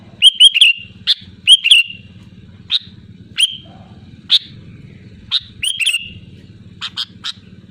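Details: Loud, lively sooty-headed bulbul song: rapid runs of sharp chirps and bright slurred whistles, repeated in scattered bursts about once a second, with a continuous low rumbling hum underneath.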